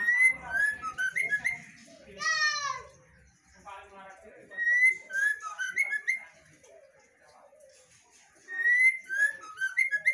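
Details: Female white-rumped shama in lively, sustained song: bursts of varied whistled phrases with short rising notes, a fast buzzy trill early on, quiet pauses between bursts, and faint low room noise.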